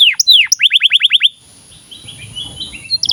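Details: Canary singing as a training model for young canaries: a few falling whistles, then a quick series of seven sweeping notes, followed by soft, faint warbling against low background hum.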